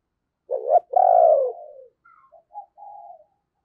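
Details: Decoy spotted dove 'gáy' cooing to lure wild doves. A sharp, loud coo, then a long, deep, hoarse falling note, followed by a few quiet humming notes. No other sound.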